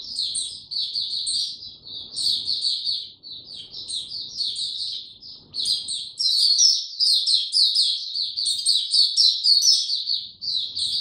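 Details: A white-eye starting to sing on 29 April 2022, given no health supplements, in a "power down" state, sings a fast, high, warbling twitter of tumbling sweet notes, almost continuous with brief pauses; faint low background noise.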